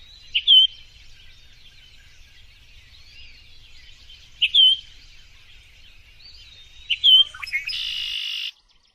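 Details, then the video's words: Bird song built from a short, bright whistled note that returns about every two and a half seconds over soft background twitter. It ends with a sudden harsh, hissing burst. "Birds singing"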